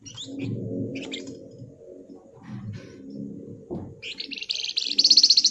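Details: Flamboyan delivering its ngebren song: after a low rumbling hum and scattered high chips, a rising burst of quick, high, buzzy pulses builds into a dense rattling trill at the end.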